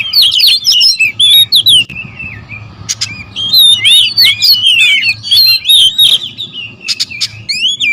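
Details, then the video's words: Oriental magpie-robins (kacer) in a noisy territorial exchange, several birds at once: rapid runs of bright whistled and chattering notes with short sharp ticks, a brief lull near the middle, then renewed busy phrases over a low background hum. "KACER RIBUT"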